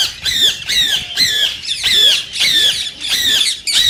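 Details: Rose-ringed parakeet, the green Indian ringneck, calling in a way said to prompt other parakeets to sing and mate: loud, harsh, grating squawks with ringing overtones, about seven in a row, each under half a second, at uneven intervals.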